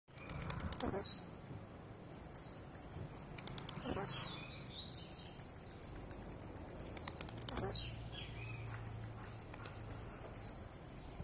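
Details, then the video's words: Blue-black grassquit singing aggressively: three loud, buzzy, very high phrases that sweep sharply downward, about every four seconds, separated by quick runs of thin, high ticking notes. "TIZIU CANTANDO AGRESSIVO"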